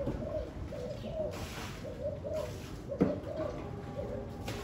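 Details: Spotted dove on a very windy day: a series of mellow, low coos in small groups, wind hissing throughout and one sharp click midway.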